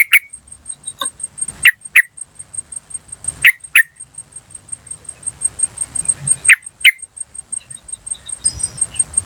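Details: Wild yellow-vented bulbul giving 'cuk cuk' calls used as a lure: sharp notes in pairs at irregular intervals, with a steady high-pitched whine throughout.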